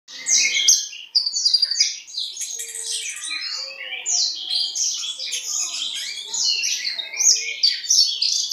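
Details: Horsfield's bushlark from East Java, a diligent singer, pouring out a continuous high song of rapid varied chirps, slurs and buzzy trills with hardly a pause.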